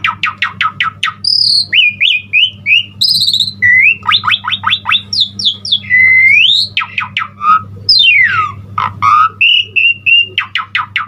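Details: Lively Asian pied starling song with full varied content, meant to stimulate other starlings to sing: rapid bursts of clicking notes alternate with whistled phrases, a rising whistle and a long falling slur, against a constant low hum.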